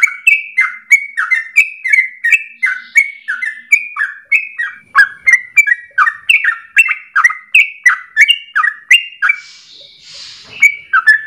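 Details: Yellow-vented Bulbul (trucukan) pouring out a long ropel song, used as a lure for training birds morning, noon and afternoon. The notes are clipped and descending, about three a second, and the song falters near the end, where soft noise is heard.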